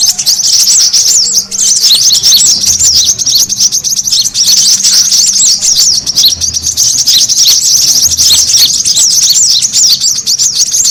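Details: Noisy brown-throated sunbird calling played as a lure to gather birds: a constant, busy mass of high-pitched sharp chirps and twitters, many notes overlapping, barely pausing.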